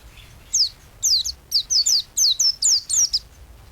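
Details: Energetic white-eye song used as a tutor recording for songbirds: about nine thin, high, steeply falling chirps, some doubled, spaced in quick uneven bursts over three seconds against a quiet background.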